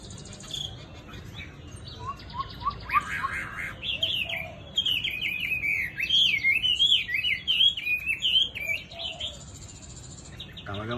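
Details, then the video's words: Chinese hwamei, a handsome bird with a gentle, pleasant voice, singing a rich, varied run of loud whistles and quick trills, rising and falling, with short phrases tumbling almost continuously for several seconds. "Mi thuần DV6969 NÉT HOẠ ĐẸP GIỌNG CA HAY"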